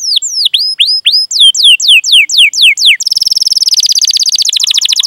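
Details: Singing canary, recorded as a lure for young, learning or silent canaries: curved whistled 'cuit' notes sweeping down, a quick series of rising slurs, then a dense high rattling roll.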